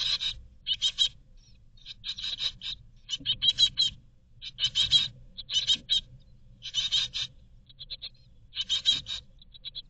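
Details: Great tit chicks in a nest box in Berlin, 2022, waiting to be fed. They give bursts of high, harsh, buzzy begging calls in rapid clusters, with short silent gaps, over faint low rumbling.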